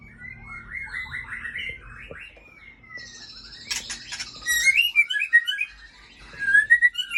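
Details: Female white-rumped shama of the Aceh type, a breeding bird, singing clear whistled phrases that slide and waver, a brief broad rustle, then quick bright warbled notes rising in loudness toward the end.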